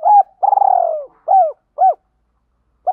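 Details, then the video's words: Spotted dove in the 'Hạp Bổi' voice style giving calling, urging and cooing phrases: a short hooked coo, a long vibrating coo sliding downward, then two clipped hooked coos and a last brief note. "Tiếng Cu Gáy Giọng Hạp BổI [ GÁY GỌI,THÚC,GÙ ]"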